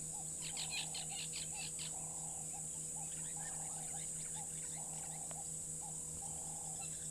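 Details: Black-headed Oriole calling outdoors among doves, a series of short liquid phrases around mid pitch repeated through the clip, with a burst of higher chattering notes early on and a steady hum beneath.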